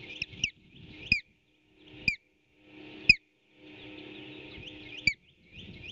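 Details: Osprey pair at a nest on a nest camera, 8 April 2018 around 11:18, as an intruder tries to steal a fish the male delivered: sharp, high whistled chirps dropping in pitch, about one per second, over a steady hiss.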